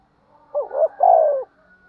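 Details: Spotted dove calling during fighting: a clean, low coo with two short hooting notes followed by a longer, slightly falling note, in an otherwise quiet setting.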